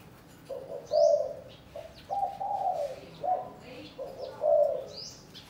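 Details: Spotted dove in a cage at Cần Thơ, Vietnam, being matched with a mate for breeding; muffled, mellow coos in several short phrases, accompanied by frequent high, sweeping chirps of small birds nearby.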